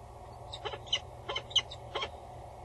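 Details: Loud female peregrine falcon above the nest box at Axel Tower, bowing with the male close by, late-morning 22 August 2019; four or five rasping, broadband notes in quick succession over a steady background hum.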